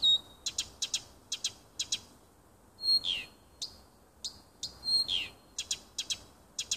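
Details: Nightingale in a small wood near a home, 30 June 2015. Loud, sharp clicking notes repeat in short groups, broken by two harsh buzzy downward sweeps.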